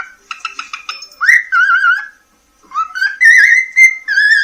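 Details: Pet cockatiel from Poland whistling a melody for its beloved: a quick stutter of short notes, then sustained, gently wavering whistles separated by a brief silence, rich in overtones.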